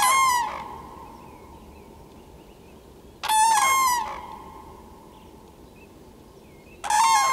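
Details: Common cranes calling loudly: three harsh, rolling trumpet blasts, each about half a second long and rich in overtones, repeated roughly every three and a half seconds over a steady low hum and quiet background.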